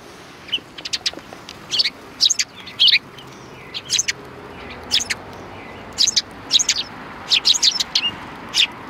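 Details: Group of sparrows at a Tenmangu shrine's rear entrance on 25 February 2020, welcoming an arriving person with a lively run of sharp, high chirps and twitters, bursts crowding every half second or so.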